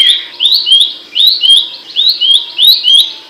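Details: Abbott's babbler with a loud, sharp voice, recorded for songbird training: three phrases of paired whistles rising in pitch, the second note dropping slightly, spaced about a second apart, with soft high ticks.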